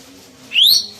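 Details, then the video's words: A pet plum-headed parakeet, being called to come over by its owner, gives a single short, high whistled note that slides upward, over a faint low hum. "The Plum-headed Parakeet Voice"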